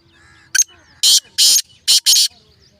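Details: Black francolin calling: a short sharp note followed by four loud, harsh, grating bursts in quick succession, the last two close together, in a quiet setting.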